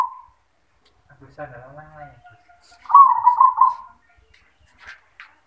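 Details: Zebra dove performing its yoman-style song: one loud, rolling coo lasting about a second with a throbbing, pulsed quality. Soft human speech comes before it, and faint murmurs follow.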